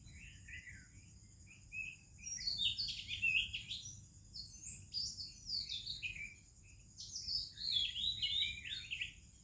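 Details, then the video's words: Morning song of an Oriental magpie-robin in India, with other birds around: rich rapid whistled phrases in three bursts, some sliding downward, against a constant thin high-pitched drone. "ROBIN Chirping in the Morning"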